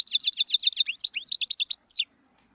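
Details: Song of a wild European goldfinch: a string of quick, repeated, buzzy twittering notes, then a varied jumble of short chirps, ending on a drawn-out descending slurred note. Little else is heard.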